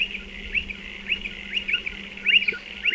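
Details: Striated pardalote near burrows in a dry stone wall. Sharp rising notes come in short clusters, some paired, with pauses between them and a faint constant low hum behind.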